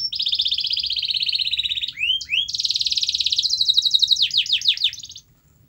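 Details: Canary sings a long, even buzzy roll to encourage a silent canary to sing. Two curled chirps break it, then another rolling trill and a few quick downslurred notes before it stops.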